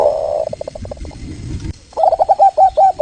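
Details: Local Indonesian zebra dove song played as a lure so other birds answer; a soft purring coo fading into pulses, a brief quiet gap, then a bright run of rapid stuttered coos.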